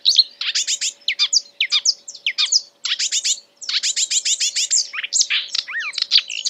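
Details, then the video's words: Marsh warbler imitating other birds, delivering quick bursts of high chirps and sliding whistles, broken by short pauses, then a long fast stretch of clicking notes and a rising-falling whistle. "A marsh warbler (Acrocephalus palustris) imitating other birds"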